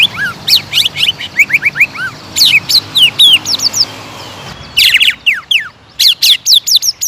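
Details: Greater green leafbird song used as a provoking lure: fast varied whistled notes, many sweeping down then up, delivered in quick runs with a short pause midway before another lively phrase.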